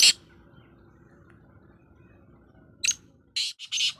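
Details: Black francolin's harsh notes: one burst at the start, then a short phrase of rasping calls at the end after a quiet gap.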